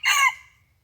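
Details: Fragment of a red junglefowl crow recorded during a morning decoy session on 27 January 2021; a single loud, rough burst that fades quickly into silence.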